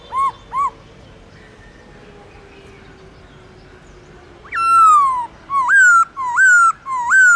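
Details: Pet black-throated laughingthrush, kept for training, in long slurred forest-style song: two short whistles, a pause, then a long falling whistle and a series of rising, swooping whistled phrases.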